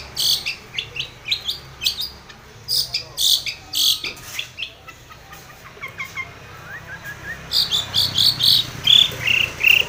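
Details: Long-tailed shrike calling to a rival as a lure: fast scratchy chatter mixed with thin sliding whistles and chips, quieter midway, then a loud rapid run of harsh notes at the end.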